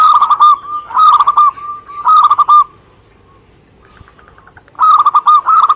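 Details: Local Indonesian zebra dove giving three quick bubbling coo phrases in succession, then a pause with faint murmuring, then another rolling phrase of soft pulsed notes.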